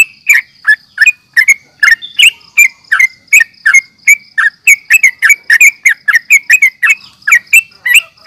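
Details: Sooty-headed bulbul (trucukan) fighting calls for baiting other birds: quick, irregular bubbly chirps, roughly 167 notes a minute, overlapping callers, over a faint steady high whine.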